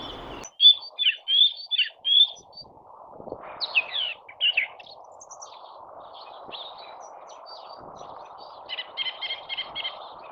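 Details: Male song thrush singing at dawn from a tree near a hedge, heard from a hide: varied loud phrases of repeated notes, squeaky and whistled, with pauses, a later quieter patch and a final burst of repeated notes.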